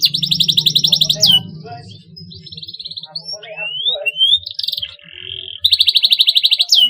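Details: Canary song aimed at stimulating young canaries to sing: opens and closes with fast, pulsing high trills, with a quieter middle stretch of scattered slurred whistles and short flat tones, over a low steady hum.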